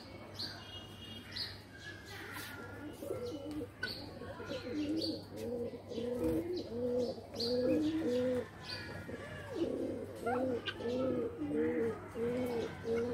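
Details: Pigeons in a loft, a steady series of low, bubbling coos repeated roughly every second, overlapping callers, with scattered high chirps, wing rustles and soft knocks around them.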